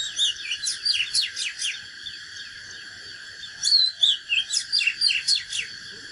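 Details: Fighting song of a natural Oriental magpie-robin, meant to rouse rival birds: two phrases of rapid whistled slurs and steep falling strokes, separated by a pause of about two seconds, over a steady background whine.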